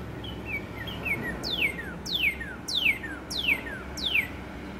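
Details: A red Northern Cardinal singing as spring approaches, as it does daily between 10am and noon for a few minutes, gives a few softer slurred introductory notes, then about five clear, steeply falling whistles at a steady pace.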